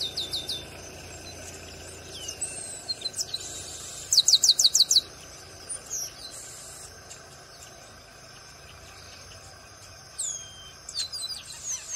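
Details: Singing chestnut-capped blackbird from Brazil: several high, downward-swooping whistles, then a loud rapid string of about six sharp notes, followed by scattered chips and more falling whistles, over a steady high-pitched hiss.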